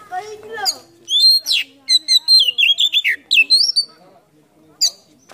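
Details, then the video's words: Oriental magpie-robin (kacer) delivering a varied song rich in borrowed phrases while fanning its tail, used to provoke lazy birds into singing: rapid, clear whistled notes in quick succession, a few falling slurs, and one late high chip. "PANCINGAN KACER ISIAN FULL BUKA EKOR NGOBRA"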